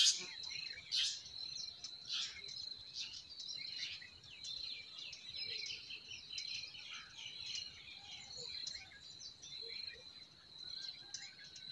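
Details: Forest birds singing in spring: scattered quick high chirps and short twittering phrases from several birds, over a steady high insect-like whine and a soft background hiss.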